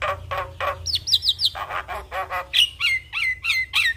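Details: Javan myna singing in 'full isian' style: a few low grating notes, then a quick triplet of high twisted whistles, then several clear falling whistles, about three a second.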